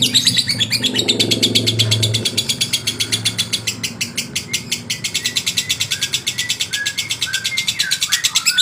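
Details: Male lovebird singing to provoke and excite rival birds: rapid, harsh, high buzzy chattering pulses repeated almost three times a second without pause, with a low rumbling hum beneath during the first two seconds.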